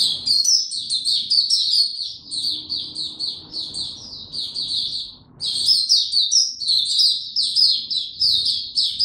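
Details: White-eye song recorded 29 April 2022, the bird given no health supplements: bursts of quick, high, sweet twitters and chirps, with a pause of about a second midway before the rapid twittering resumes.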